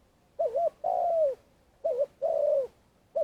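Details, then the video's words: Vietnamese trapping lure Spotted dove in long calling, producing wavy short coos each answered by a long gently descending coo, phrases coming in quick succession with no other sounds. "Cu gáy mồi cây - gáy gọi dài"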